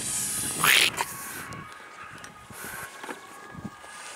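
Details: On 28 April 2013 (52.01862, 4.30596), a domestic goose lunges at a person while the female sits on a nest nearby, giving one brief, harsh, hissing burst, followed by a man's startled shout.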